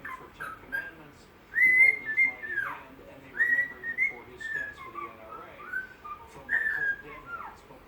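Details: Pet bird, tired and wanting to nap, whistling The Andy Griffith Show theme tune: clear mid-pitched whistled phrases that rise, hold and slide down, repeated in a melodic pattern over faint room noise.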